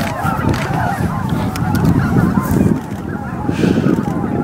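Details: Greater white-fronted geese arriving to roost at dusk, Miyajima-numa marsh, Bibai, Japan, April 2016, about 15,000 birds; close, loud overlapping yelps and honks, a brief dip near three seconds, then renewed clamour.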